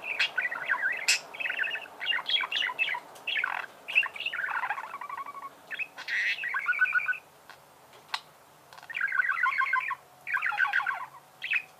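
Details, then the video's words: Budgerigar chirping in a lively series of grating, stacked-harmonic chatter phrases with short clicks between them, pausing briefly before resuming toward the end. "Чирикает волнистый попугай"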